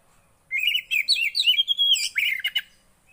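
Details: Javan white-eye singing, used to get a quiet bird singing: a quick, continuous run of high, sweet slurred whistles and trills, ending in sharper chips.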